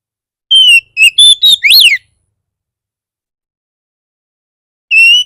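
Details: Oriental magpie-robin in 'bar bar' style, used as a lure to provoke other magpie-robins into singing: a loud clear whistled note, then a quick burst of sweeping, rising and falling whistles, a pause, and another level whistle.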